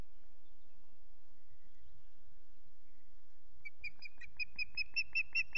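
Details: At Loch Garten an unringed female osprey calls out for her absent mate; after some low background rumble, a run of about ten high, yelping whistles starts and grows steadily louder.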